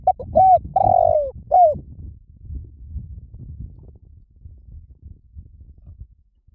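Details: Spotted dove giving a quick run of four soft, hollow coos, the third longest and falling in pitch, followed by several seconds of faint low background hum.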